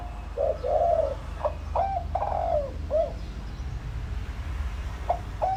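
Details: Spotted dove kept as a lure, giving several short hollow coos mixed with sharp clicking taps and brief upward-sliding notes, with a low background hum.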